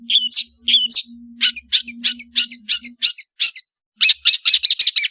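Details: Long-tailed shrike (cendet) in lively song for training songbirds: squeaky high chirps, then a steady series of harsh scratchy notes and a fast chattering run, with a faint steady low hum underneath.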